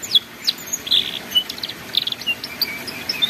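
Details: Canary master song for teaching young canaries the ngeriwik style: quick high chirps, brief whistled notes and short buzzy bursts mixed together, delivered in a busy, uneven flow.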